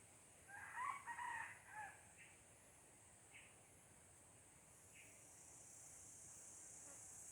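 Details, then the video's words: Wild red junglefowl in Aceh, recorded 5 January 2020: a short hoarse crow of several harmonic-rich syllables at the start, then a few faint distant notes over steady high insect hiss. "Ayam Hutan Aceh"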